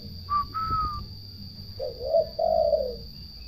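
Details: Turtle dove song: a low purring two-part phrase near the end, after two clear higher whistled notes from another bird at the start.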